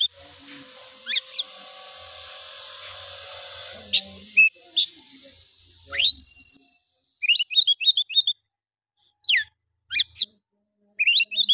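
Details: Oriental magpie-robin song as a lure to provoke other males: a long rising whistle, then quick repeated triplets of chattering notes and sharp whistles, with a steady hiss in the opening seconds.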